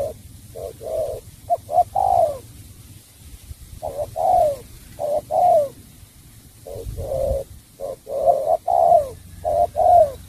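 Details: Cooing song of a spotted dove from Cà Mau: clusters of two to four soft, hollow hoots, the final note drawn out and dropping in pitch, with short pauses between bursts.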